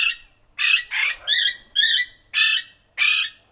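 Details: Rose-ringed parakeet uttering a run of seven loud, raspy screeches, some with a wavering, buzzy texture, following one another in quick succession.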